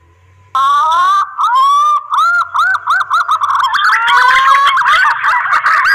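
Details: Mating call of a green pigeon, used as a lure: long, slowly rising pure whistles, then a string of short looping notes that speed up into a warbling, quavering series near the end.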